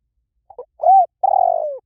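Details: Spotted dove giving one mellow cooing phrase: two soft stuttering notes, then a rounded rising-falling coo and a long, slightly burry coo that slides downward. No other sounds, a clean quiet background.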